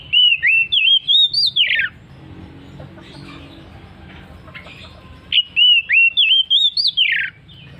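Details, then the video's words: Oriental magpie-robin delivering the ngeplong song style persistently: a bright whistled phrase of rising and dipping slurs ending in a harsh downward rasp, a pause with faint chirps, then the same phrase repeated almost exactly. "KACER NGEPLONG NGOTOT"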